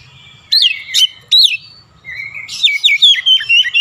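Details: Oriental magpie-robin in full, lively song laced with imitated Javan myna sounds: sharp whistled upslurs and downslurs, then a fast run of bright, varied notes after a short pause.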